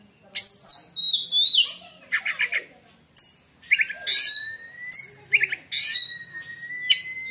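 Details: White-rumped shama singing a song claimed to hush other shamas: clear high whistles with bright overtones, trilled triplets, and long level whistled notes that rise slowly, repeated in phrases about a second apart, faint low hum behind.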